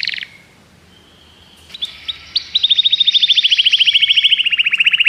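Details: Common canary singing: a brief bright burst, a pause, then scattered notes leading into a fast, even trill of repeated high chirps about four per second, slowly falling in pitch.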